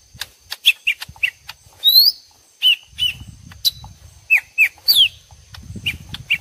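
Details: Lesser green leafbird exchange, two birds sparring vocally, assembled to lure birds: scattered short chip notes and a few rising whistled slurs separated by pauses, over intermittent low rumble.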